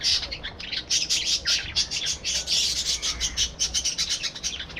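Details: Busy twittering from a breeding colony of budgerigars: rapid, high, rasping chirps pour out continuously, several birds calling at once in a lively, unbroken stream.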